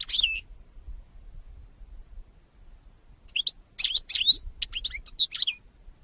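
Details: European goldfinch (Carduelis carduelis), recorded 2018: a brief high twitter opens the clip, then three seconds of quiet before a lively burst of sharp, liquid chirps and slurred whistles.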